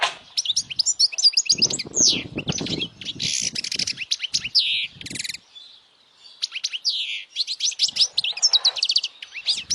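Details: European goldfinch in powerful song, played to stimulate young goldfinches to sing and to draw females: fast tinkling twitters and nasal buzzes in long bursts, one short silent gap near the middle.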